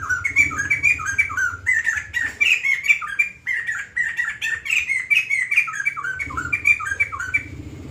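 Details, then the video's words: Lively extended song of a White-crested laughingthrush: repeated slurred whistles in fast rolling phrases, briefly pausing near the middle and again late, with a low background hum. "Burung Poksay Jambul Putih Gacor Panjang"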